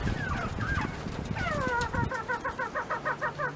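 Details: Mountain quail eating treats in their pen, giving a rapid series of short downslurred harmonic notes, about three a second, after a stretch of low rumbling noise.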